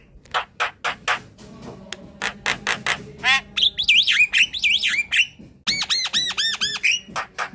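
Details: Jalak kebo, black-winged myna, in lively chatter meant as a lure: a series of harsh buzzy squawks, twisting whistled phrases in the middle, then quick bright ringing arched notes before the rasping resumes.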